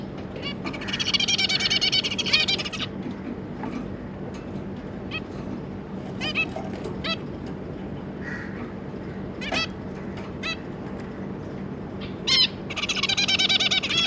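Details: Two adult zebra finches with three juveniles, recorded 25 July 2022: bursts of fast, buzzy, rattling song open and close the passage, with scattered sharp nasal beeps between them over a low hum.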